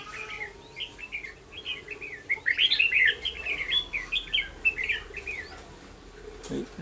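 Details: Red-whiskered bulbul song at a trapping site in Vietnam, November 2018, with a wild bird drawn to the decoy; lively, overlapping warbled chirps building to a dense burst mid-way, then fading into a rustle.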